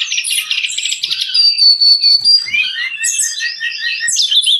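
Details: Brown-chested jungle flycatcher used to tutor and stimulate cage birds: a quick trill, then a long thin high whistle, followed by looping whistled phrases that rise and fall.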